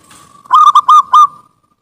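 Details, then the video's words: Zebra dove song used as a lure: a short phrase of four loud, clipped, slightly warbling coos near one pitch, each with a buzzy overtone, then a softer trailing note fading out; faint hiss before it begins. "Suara burung perkutut ampuh untuk pancingan"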